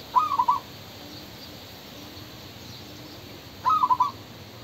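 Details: A male spotted dove (Spilopelia chinensis) gives two soft, hooting coo phrases of about four quick notes each, roughly three seconds apart, over a quiet background.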